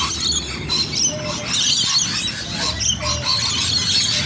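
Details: Rainbow lorikeets in Bonnyrigg, many birds calling at once with piercing, raspy shrieks and chattering squeals packed into a constant din.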